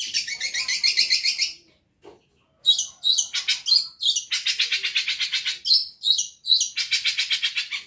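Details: Long-tailed shrike, very gacor cendet masteran: fast buzzy rattled trills in bursts of one to two seconds, interspersed with sharp higher notes, after a short silence.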